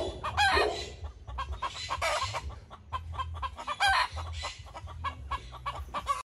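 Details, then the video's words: White rooster and chickens clucking in dense overlapping bursts of short nasal clucks, some rising squawk-like notes, over a constant low rumble. "White rooster clucking"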